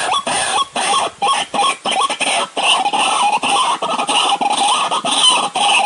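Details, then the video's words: White-breasted waterhen lure call used for trapping in the dry season: loud harsh notes repeated several times a second, each with a strong band and bright buzzy overtones, forming a steady clattering series. "Mikat Ruak Ruak musim kemarau"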